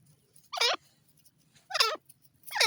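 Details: Grey francolin, called teetar, giving loud harsh calls in three bursts about a second apart, each a quick rising and falling cackle with a low hum beneath.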